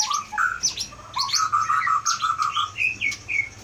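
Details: White-rumped shama from Aceh Leuser, a forest-caught bird kept caged since 2018 and skilled at imitating nearby sounds, sings clear whistled notes then a rapid even run of repeated mid-pitched chirps, ending in higher short phrases.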